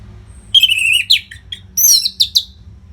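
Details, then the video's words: Tutor song from a persistent orange-headed thrush for training competition birds: a clear whistle sliding downward, then scratchy notes and a quick series of bright, rising chirps over soft low hum. "SUARA MASTERAN ANIS MERAH GACOR RAPET NO JEDA INI UNTUK MELATIH FIGTHER BURUNG AGAR SELALU FIT"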